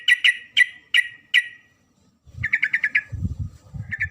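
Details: Female sooty-headed bulbul calls the male with several loud, spaced double chirps, then a rapid run of five bubbly notes and a short final phrase, partly over low rumbling noise.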